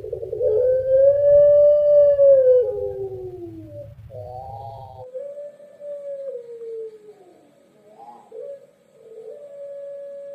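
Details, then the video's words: Long call of a Pelung dove, a rich low tone swelling and sinking for about four seconds over a deep hum, then further wavering, slightly lower notes ending in a steady held pitch. "Suara Puter Pelung Bikin Burung Puter Lain Ikut Manggung Gacor"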